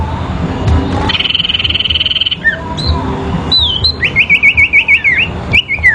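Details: Sooty-headed bulbul duelling in a fight, therapy recording: a loud pulsing buzz drone first, then sharp slurred whistles and a rapid wavering series of rising-falling notes near the end.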